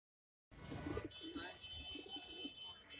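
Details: A female brown fantail domestic pigeon in Mumbai gives soft, low, throaty coos, several murmured notes over two seconds, over a steady background hum and faint indoor noise.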